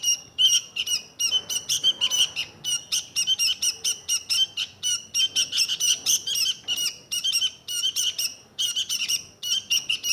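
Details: Sooty-headed bulbul delivering a long run of dense, scratchy chirps in quick succession. Only a few brief breaks interrupt ten seconds of continuous chattering song.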